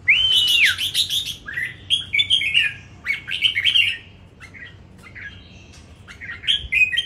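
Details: Red-whiskered bulbul in a singing competition in Đồng Nai, Vietnam, giving bright whistled phrases with a long sliding opening note, then quick chirpy rising and falling notes repeated in bursts, with a pause before a final phrase.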